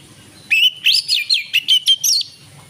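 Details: Evening song of an Oriental magpie-robin, used to spur other birds: a single burst of clear whistled notes sliding up and down, interspersed with short sharp chips, lasting under two seconds against quiet background.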